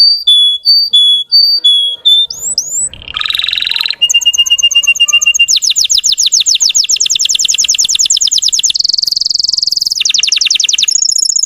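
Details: Russian canary song used to agitate untrained birds: paired whistles and upward slurs, a buzzy burst, then long fast rattling trills that shift pitch several times.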